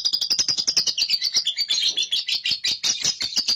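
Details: A young caged lovebird in steady ngekek chatter, played to draw out long chattering: a dense, unbroken stream of high, harsh clicking notes, fast and uneven, lasting the whole stretch.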